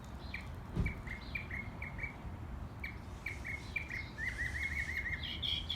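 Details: Wild bird singing in Texas: a series of short, clear whistled chirps spaced irregularly, then a quick rising-and-falling trill near the end, over steady low outdoor background noise.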